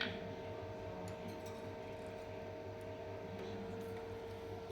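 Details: Steady indoor hum with a mechanical fan drone and a few faint ticks in a small room.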